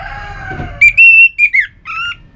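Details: Orange-headed thrush song, used to trigger kept birds into song: after a low droning sound, a sustained whistle with sliding drops, then a shorter two-tone whistled note.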